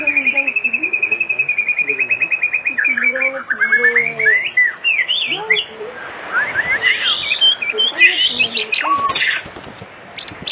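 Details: Oriental magpie-robin lure song for the afternoon, intended to get other magpie-robins singing: a fast trill of repeated notes opening into varied looping whistles and chattering phrases.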